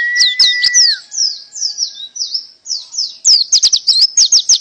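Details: Canary-type 'tembakan' song opening with a steady mid-pitched whistle under high twitters, then varied warbled notes, ending in a quick, loud burst of sharp, high repeated chirps.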